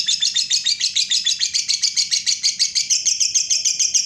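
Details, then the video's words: Lovebird singing in the long 'ngekek panjang' style: a fast, unbroken chattering trill of high, bright notes, about three to four pulses per second, running without pause throughout. "Lobe bird ngekek panjang"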